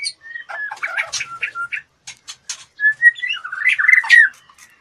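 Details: Female white-rumped shama in breeding condition, fluttering her wings: a varied run of short whistled notes, harsh chattering squawks and a few buzzy bursts, ending in a louder rolling, warbled phrase.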